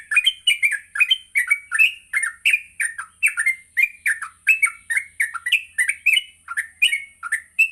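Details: Continuous ngropel-style song of a yellow-vented bulbul in the morning, for training birds to learn sounds: dense, unbroken stream of quick, liquid warbled notes throughout.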